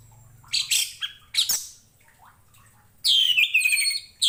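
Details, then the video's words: Orange-headed thrush song used as a tutor recording for training other cage birds: short bursts of rich, varied notes sliding downward, with loud phrases near the start and a descending whistled phrase near the end. "KICAU ANIS MERAH"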